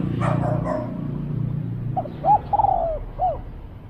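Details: Spotted dove at a decoy-luring session. Low rumbling noise and a short burst of other sound come first, then one phrase of rounded hoots ends in a long, falling drawn-out coo and a final hoot.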